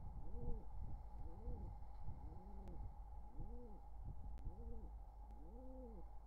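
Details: Courting wild pigeons near nestlings at the nest, summer 2023, give low rounded coos in a quick series, each note rising then falling, roughly six in six seconds, with a steady mechanical hum behind.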